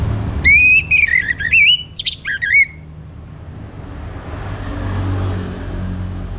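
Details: Orange-headed thrush in morning song, played to encourage birds to sing: one rich phrase of wavering whistled notes with a scratchy high burst in the middle, followed by several seconds of low background rumble.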